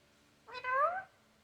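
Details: One short, nasal, upward-sliding call from a parrot, rich in overtones, rising and fading within about half a second against a faint low hum.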